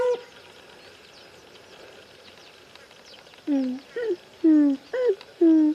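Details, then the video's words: Grey crowned crane in the wild giving a short series of about five loud, low, nasal honks over two seconds, each with a bent or rising tone, after a quiet stretch with faint distant chirps in the background. "The Grey Crowned Crains caught in the nature making cracking noises."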